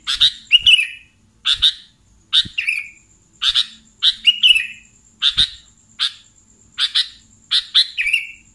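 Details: Sooty-headed bulbul calling as a bulbul-catching lure: crisp doubled chirps, some ending in a rolling, downslurred flourish, repeated about once a second over a faint continuous high whine.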